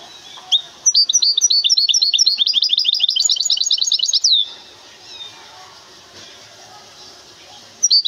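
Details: Goldfinch hybrid from the city of Temara sings a rolling series of quick, high twittering notes for over three seconds, closing on a drawn-out downward slur, then faint room noise before another note begins.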